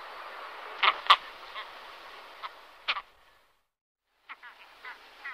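Great Skua giving harsh, gruff, rasping notes in short irregular bursts with a few softer clipped sounds, over a steady hiss with a brief silent gap.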